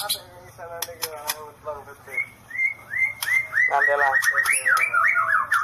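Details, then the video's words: White-rumped shama, "sambaran listrik" (electric strike) song style. The first half holds low, buzzy, nasal notes and sharp ticks; the second half brings repeated rising whistled slurs that speed into a dense, bubbling warble. "Murai mengeluarakan sambaran Listrik"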